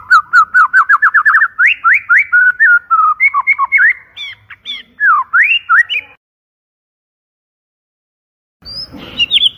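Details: White-rumped shama lure song, loud and clear: a fast rapid trill of whistled notes building into varied rising and falling slurred phrases, then silence and a brief high burst at the end.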